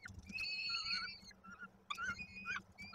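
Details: Peregrine falcon at a nest during feeding, Koszalin, Poland, 19 May 2022: drawn-out, wavering, rich harmonic wails, a long one lasting about a second then a shorter broken pair, with low background rumble.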